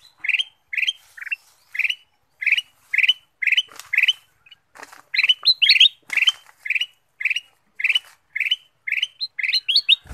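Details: Kutilang emas bulbul singing as a lure for other birds: a steady run of short, clear, warbled phrases roughly twice per second, some ending in an upward flick, with faint rustling between the notes.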